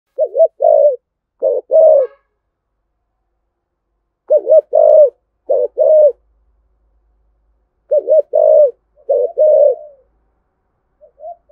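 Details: Spotted dove cooing, a call used to stir other doves to coo: low hooting coo phrases in bursts of three or four notes, each group a couple of seconds apart, with quiet gaps between.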